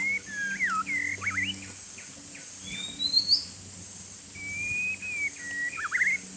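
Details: White-rumped shama playing in the rain, singing clear whistled phrases: looping, wavering notes in short bursts, a sweeping rising whistle near the middle, then long level whistles ending in quick twists, over a steady high hiss.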